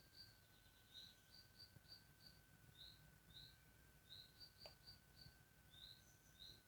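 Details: Thin, high chirps repeated about three times a second as a spotted woodpecker chick begs while being fed, over a steady whining tone and low background rumble.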